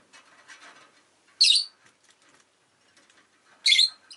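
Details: Rosy-faced lovebirds kept as pets, an orange bird among them, against faint urban background: two loud, rasping shrill chirps about two seconds apart, preceded by soft chattering murmurs.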